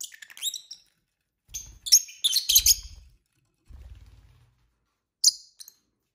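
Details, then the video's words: Pet lovebirds kept indoors chirp during dinner, sharp high twittering clusters in quick bursts, with soft low thumping and tapping sounds between calls and two short shrill chirps near the end. "lovebird singing & chirping sounds"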